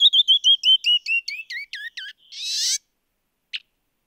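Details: Canyon wren song: a run of clear whistled notes tumbling downward in pitch, the later notes bending lower, then a harsh buzzy burst. After a pause comes a single short sharp call. No background noise.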